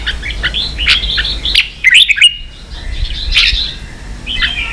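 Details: Red-whiskered bulbul singing against rivals in Vietnam: busy chirped and whistled phrases, a loud cluster near two seconds, another burst later, with constant background bird chatter.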